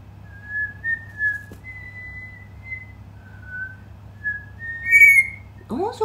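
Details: Cockatiel kept as a pet, learning a melody by checking each pitch: long level whistled notes, rising and falling slightly, one brighter accented note near the end, then a woman's voice praising it.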